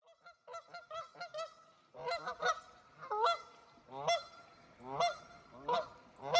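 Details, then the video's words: Canada geese on a cold river in Wisconsin, giving a run of loud nasal honks, several birds overlapping, in bursts with short pauses between them. "Cold River with Canadian Geese"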